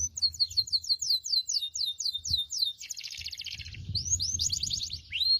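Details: Canary singing as a tutor for other canaries: a rhythmic series of falling whistled sweeps, then a buzzy rolling trill and a few rising whistles, with low background hum.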